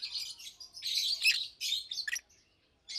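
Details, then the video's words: Pair of caged adult Fischer's lovebirds, about two years old, chirping and singing during the day: continuous chattering of high, buzzy chirps, louder in the middle, then a pause and a final burst. "Lovebirds Chirping, Lovebirds Singing - Two Agapornis Fischeri"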